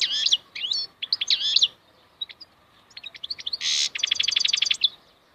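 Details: Wild European goldfinch singing a varied, fast twittering song of swooping liquid notes and sharp chirps, broken by a harsh buzzy note and ending in a rapid, even trill.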